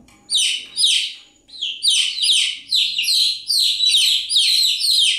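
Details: Chicks peep continuously, with high, descending chirps about twice a second that become steadier and denser after an opening pause, along with faint low background rumble.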